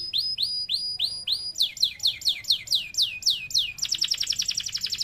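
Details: Domestic canary in full, vigorous 'gacor' song with an ornate style. A series of rising upswept notes, about five per second, shifts to falling swept notes and then breaks into a very fast, high, rattling trill.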